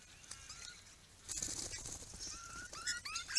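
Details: Critically endangered swift parrots (Lathamus discolor), a visiting flock of up to nine including at least two immatures, April 2022, give short whistled notes, several rising sharply at the end, over thin flock chatter and faint outdoor hiss.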